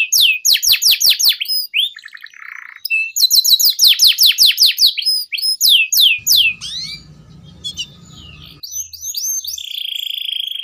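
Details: Long, vigorous canary song for luring and training young canaries: rapid runs of downward-swept notes in two bursts, a quieter gap with low background noise, then buzzy trills resume.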